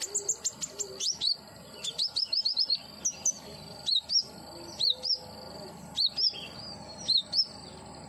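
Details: Common iora, a captive bird, in a therapy recording meant to make it sing: high thin whistled notes, many with a sharp upward hook, alternate with quick bursts of chirps, repeated roughly every half second against a faint hiss.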